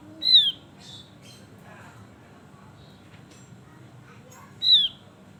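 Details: Male Javan grey-throated white-eye, in full lively voice, opens and closes with a bright falling whistle, with quiet squeaks and chirps from other birds filling the gap.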